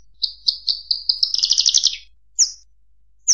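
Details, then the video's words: Bushlark singing a run of bright, evenly spaced chirps. They speed into a rapid buzzy trill, then two separate high, clipped notes follow after a pause. The background is quiet. "burung branjangan"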